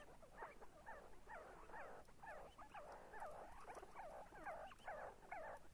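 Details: See-see partridge, known locally as kabgi zirak, giving a steady series of looping, squeaky whistled notes about twice per second, with fainter overlapping chatter behind.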